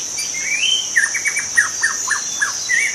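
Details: Forest-dwelling young wild white-rumped shama song: an upslurred whistle, then a rapid series of clipped descending notes, closing on a brief whistle, with a loud continuous high-pitched insect hum behind.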